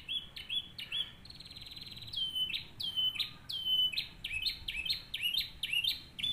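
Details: Training song of a canary, used as a master for other birds: short whistled slurs, then a rapid buzzy trill near 2 seconds, followed by strong downward-sweeping whistles repeated quickly and evenly.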